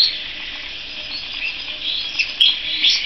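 A canary gives high, thin chirps over a dense, hissy twitter, with a few sharper notes near the end.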